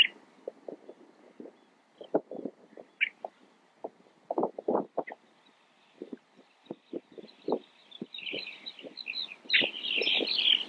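Pied avocets give a burst of clear, fluty, high notes in the last few seconds, after a stretch of low, irregular knocks and splashy sounds.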